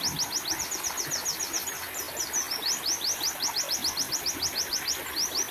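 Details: High, thin white-eye chips from a therapy and tutoring recording, tumbling out in a quick, slightly uneven series. A short hesitation falls in the middle, and faint lower twitters sound in the background.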